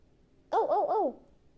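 A hooded crow gives a brief, mellow warbling call of three wavering, rising-and-falling notes in about half a second, musical rather than harsh, against a quiet background.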